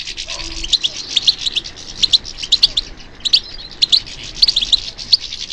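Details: Goldfinch singing as it responds to stimulation during song training: dense, high twittering with sharp chirps repeated in quick clusters, some phrases buzzy and tinkling.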